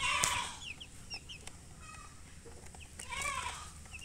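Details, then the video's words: Chicks of domestic chicken peeping: a loud burst at the start, then scattered short, high, downslurred chirps and a second cluster near the close. "Baby "Chicks Chirping" Sound"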